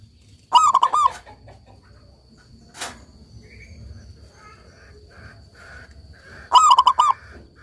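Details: Local Indonesian zebra dove in full song, used to coax silent doves into singing again: two rolling phrases of throaty, trilled cooing six seconds apart, with a faint steady high whine and a soft click between.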